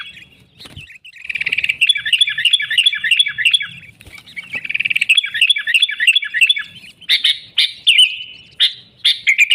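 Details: Sooty-headed bulbul in chatty song, an original recording with no mimicked inserts, meant to lure wild bulbuls for trapping: long, rapid, rattling chatters, then a string of loud, sharp chirps.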